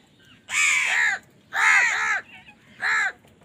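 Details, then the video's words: Harsh, hoarse caws from crows fighting for food, three long, strident calls about a second apart, each drawn out and grating, close and loud. "কাকের ডাক Crow Sound Crow ki Awaz Loudly | Crow bird Fight for Food"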